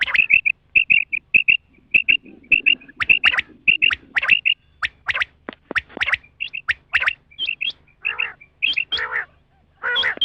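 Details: Female rain quail sound used for hunting: a steady run of short, high, clipped chirps, roughly two per second, later mixed with rougher, broader harsh notes.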